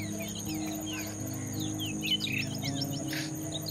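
Striated babblers chatter in quick, overlapping chirps and short slurred notes, busiest in the second half, over a steady high insect whine and a low droning hum.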